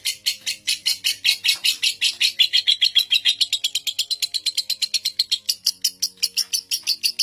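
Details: Lovebird with the longest ngekek, seven minutes non-stop, kept as training master: dense high rattling chatter, rapid regular pulses that rise slightly in pitch toward the end.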